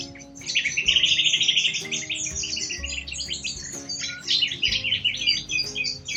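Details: Wild Australian corella cockatoos calling together, a dense run of shrill, rapid chirps that overlap almost continuously, with faint background music underneath.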